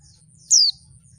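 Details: Oriental white-eye (pleci) female call used to provoke males into singing: a single thin, high whistled note sliding quickly downward, about a fifth of a second long, over a steady faint high tone and low hum.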